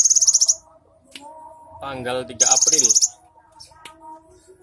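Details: Cinereous tit song: a fast, high, pulsed buzzy trill opens, with a second similar burst a couple of seconds later, separated by lower chattering and tonal notes in the background.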